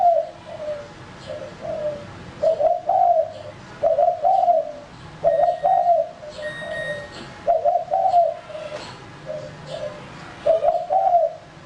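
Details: Male lure spotted dove cooing steadily, each phrase a loud double coo trailed by two softer low coos, repeated about every 1.5 seconds, with a faint high tone in the background.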